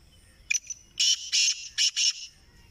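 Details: Grey francolin voice: one brief harsh note, then a tight run of four loud, strident high bursts lasting under two seconds, over a quiet low hum.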